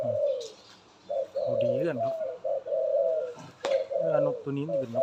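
A dove gives soft, low, rolling coos in drawn-out phrases with brief pauses between them. A man's voice talks over parts of the calling.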